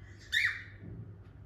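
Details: Pet cockatiel, one of a couple kept indoors, gives a single short, harsh squawk that rises and falls, followed by quiet room hum.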